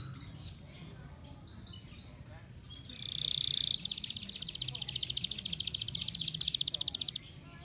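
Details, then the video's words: Canary in excessive breeding condition (over birahi): after a quiet start, a sustained high whistle gives way to a fast, buzzy rolled trill lasting about four seconds, growing louder toward the end. "bird song | canary over birahi like this"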